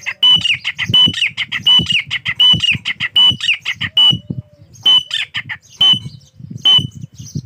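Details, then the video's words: Desi partridge (teetar) calling: loud, harsh, repeated squawking notes with a piercing whistled edge, delivered in rhythmic bursts roughly once per second, with soft low thumps between calls. "desi teetar ke patte ka awaaz"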